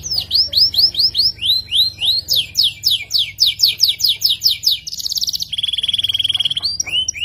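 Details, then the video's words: Kenari F2 YS canary singing a long trill with sharp tone: repeated high descending whistled slurs about four per second, then a rapid buzzy rattle and a sustained lower trill, clear and loud. "Kenari F2 YS gacor ngerek panjang, suara tajam mewah"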